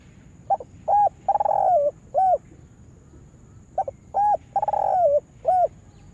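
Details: Lure spotted dove used for trapping gives two loud cooing phrases, each of short quick notes, a long rolling coo falling at its tail, and a final clipped note, repeated after a pause of about three seconds.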